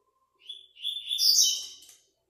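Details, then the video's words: Single song phrase from a Double-collared seedeater in an online web singing tournament's fifth stage: a couple of quick introductory notes, then a rising, bright, buzzy trill peaking loudly before fading. "5º ETAPA TORNEIO VÍDEO WEB COLEIRO ON-LINE"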